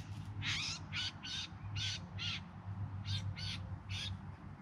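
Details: In September 2020 in the Yarra Valley outside Melbourne, bowerbirds sing while displaying to attract a mate: grating, noisy bursts in two loose clusters, separated by a brief pause, with a low rumbling hum behind.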